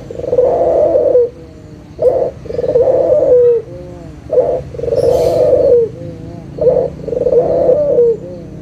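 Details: Local puter dove, a lively caller, recorded as a lure to get silent doves cooing again: low cooing phrases, each a short note then a long rolling coo, repeated three times over a steady background hum.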